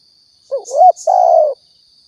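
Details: Riau spotted dove lure sound for bird trapping and hunting: one low wavering coo followed by a sustained soft hoot, with a couple of faint high chirps and a continuous high electronic tone.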